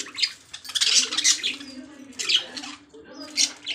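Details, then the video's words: Lovebirds give shrill, scratchy chattering squeaks in short bursts roughly once a second, over a faint low murmur of household sound. "Love birds sounds"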